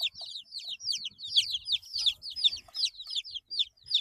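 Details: Young chicks, eight days old, give a dense stream of piercing, falling cheeps from several birds at once, accompanied by low scratching and shuffling sounds.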